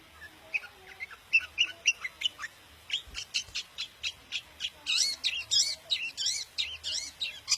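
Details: Long-tailed shrike of the daput type singing to provoke other shrikes: a lively stream of scratchy chirps, nearly four per second, starting lower then rising into harsher, broad, buzzy high notes toward the end.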